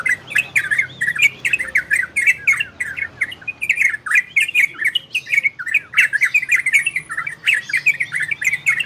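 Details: Orange-spotted bulbul in ropel and garudo song style, meant to stir breeding condition in listening birds: a long, steady stream of rolling, bubbly phrases with many sharp clicks mixed in throughout.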